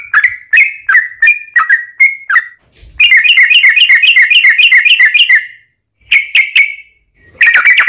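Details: Lure song of a sooty-headed bulbul for getting other bulbuls to answer: a series of sliding whistles, then a fast buzzy trill of repeated notes lasting nearly three seconds, short whistles, and a dense closing burst.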